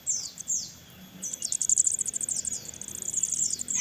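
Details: Crested jay chicks beg while being hand-fed, in a rapid, thin, high-pitched chatter of chips and short downslurred squeals. The chatter comes in bursts that grow busier toward the end.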